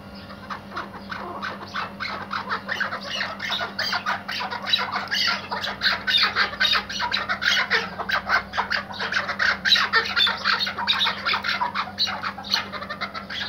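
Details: Iraqi white hunting partridge kept tethered for hunting, in an excited, dense run of fast harsh chattering notes that grows louder toward the middle, with a faint background hum.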